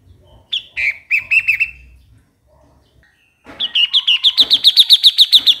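A bulbul gives two bursts of quick, bright chirping notes, about four a second, pitched fairly high. The second burst is longer and steadier.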